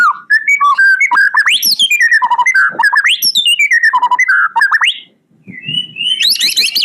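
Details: White-rumped shama delivering terotol-style isian song, a continuous run of clear whistled notes sliding up and down with quick chips and rattles, pausing briefly near the end before a high, rapid twittering burst.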